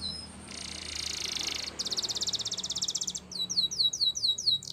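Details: Spanish Timbrado canary song, a champion singer used for training, heard more quietly over a low hum: a dense buzzy roll, then a fast pulsed trill, then a run of slurred downward whistles repeated about twice per second.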